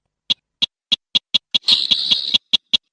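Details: Slaty-breasted rail giving a string of sharp, dry ticking notes spaced about a third of a second apart, interrupted midway by one harsh, grating rasp, clear and close with no other sounds.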